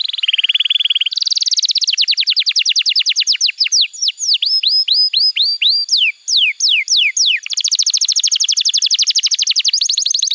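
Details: Canary song used as a tutor for young canaries: a low buzzy trill, then fast high trilling into a long run of falling slurred notes that slows before a final rapid high trill.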